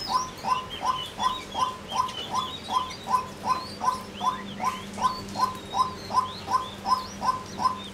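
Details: Female white-breasted waterhen giving a long, even series of short clucking notes, close to three per second, over faint chirps of other birds and a low hum.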